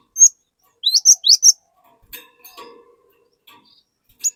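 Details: Cinereous tit (glatik) used as a singing lure for other glatik; a single high whistle, then four quick upswept whistled notes, then faint low chatter and one last high note.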